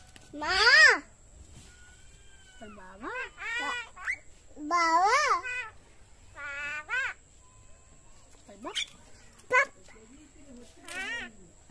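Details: Common myna talking, its age given as either 6 months or 9 years; separate harmonic, speech-like syllables with rising and falling sweeps, a few seconds apart, and a steady high faint tone in a quiet room.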